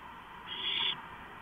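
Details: Owl at a camera-equipped nest box before dawn, 4:45 AM on 6 April 2015, with three owls inside the housing: a single harsh, hissing screech of about half a second, high and noisy, over a steady background hum.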